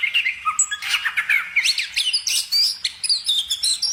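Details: Bird singing a dense, fast medley of chirps, trills and quick upslurred whistles, high-pitched and almost continuous for four seconds.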